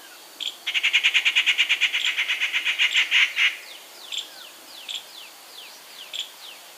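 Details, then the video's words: Rufous Treepie (Dendrocitta vagabunda) near Gir National Park, Gujarat, India, giving different calls: a fast, harsh rattle of about twenty notes over three seconds, then a few sharp, scattered downslurred notes. "Rufous Treepie: different calls"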